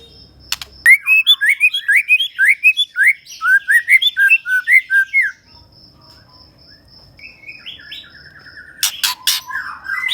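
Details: ['White-rumped shama, Medan type, singing vigorously through its repertoire: a long run of quick varied whistles and chirps for about five seconds, then quieter slurred phrases and a final burst of sharp high notes.']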